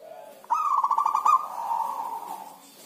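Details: Zebra dove kept by its owner, said to sing seldom during the rainy season, delivers one phrase: a quick run of staccato, pulsing coos flowing into a sustained, fading hum-like note.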